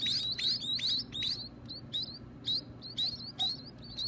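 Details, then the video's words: Baby birds at feeding time, kept by their owner, giving bursts of high, sharp, upslurred chirps, clustered at first and then spaced out into single calls with short gaps. "Feeding the baby birds"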